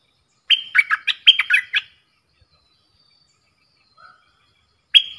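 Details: ['Caged bulbul in a song duel with wild birds: a rapid phrase of whistled notes mixing level and falling tones, then silence broken by one soft, low whistle, and the phrase starting again at the end.']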